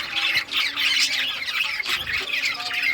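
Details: Budgerigars of rare colours chirping while playing with toys; dense overlapping chatter of warbled, squawky notes and short whistles from several birds, continuous throughout.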